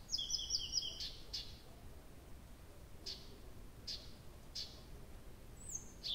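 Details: Nightingale singing through the night at Abramtsevo, early June 2021: a dry rapid rattle for a second, then slow isolated high clicks separated by quiet gaps, and a closing whistle.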